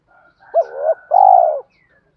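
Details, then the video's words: Spotted dove cooing as a lure call to provoke wild doves into cooing back: one two-part phrase, a short low note rising then dipping, followed by a longer, louder, steady hoarse coo that falls away at the end. "chim cu gáy thúc kích bổi rất xiêng gáy, tiếng gáy gọi dúp bổi nghe xong có hứng gáy theo liền"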